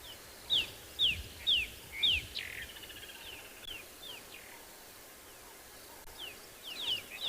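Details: Rattling Cisticola calls on a sunrise safari morning, 12 February 2022, with a hippo and elephants nearby: four or five sharp, high, down-slurred notes about twice a second, then a short dry rattle, with fainter notes later against steady outdoor hiss.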